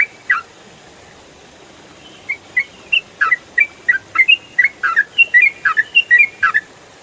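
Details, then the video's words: Ropel-style calling of a yellow-vented bulbul (trucukan) meant to tutor songbirds: one chirp, a two-second pause, then a building stream of sharp chirps and short whistled notes growing denser. "MASTERAN TRUCUKAN ROPEL FULL SUARA JERNIH"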